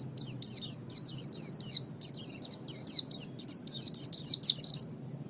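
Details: Oriental white-eye chattering song meant for training caged songbirds, clear and loud: a steady series of high, downward-slurred chirps, several per second, ending in a denser flurry.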